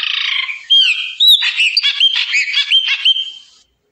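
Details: A chopi blackbird, or papa arroz, sings a few seconds of crisp upward-flicked whistles over a rapid stuttering chatter before the song stops and silence follows.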